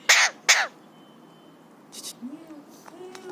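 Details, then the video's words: Three-year-old pet Alexandrine parakeet, happy and excited, lets out two loud harsh screams in quick succession, followed by faint rasps and soft low sliding notes. "Alexandrine Parrot Talking | Happy/Excited Parrot | Parrot imitates Cough & Whistles & Screams"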